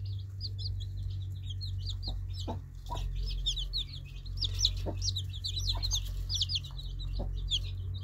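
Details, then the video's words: Baby chicks chirping as a dense chorus of many overlapping high, short peeping notes, some rising and some falling, with a few low knocks and a steady low hum beneath. "Baby Chicks Birds Sweet Sound Effect Cute Baby Chicks Chirping"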